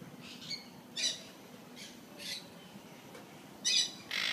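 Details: Golden conures at Jurong Bird Park giving harsh, grating squawks in short bursts, about six over four seconds, some paired, with a quieter hissy background between calls.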